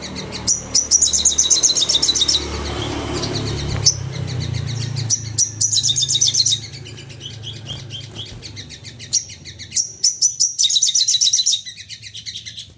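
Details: Excited crested jay rapid-fire calling, meant to trigger calling in others: several bursts of high, dense rattling trills alternating with sharp clipped notes, over a steady low rumbling background noise.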